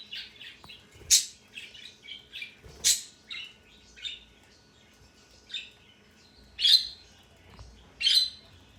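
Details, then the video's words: Pet male parrot repeating a new sound for a long time that day: soft squeaks and chirps broken by loud harsh squawks every one to two seconds, in a quiet room. "it’s too long he is making this sound today"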